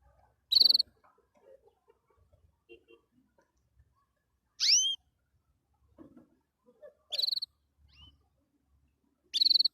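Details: Canary singing happily, giving four loud, separate bursts: short buzzy trills and one cluster of rising swept whistles, spaced about two to three seconds apart, with quiet clicks and soft rustling between them.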